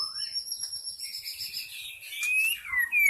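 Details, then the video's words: Forest white-rumped shama lure song: long, clear, sustained high whistles gliding downward, ending in a loud descending whistled slur, over faint low background rumble. "SUARA PIKAT MURAI BATU ASLI HUTAN"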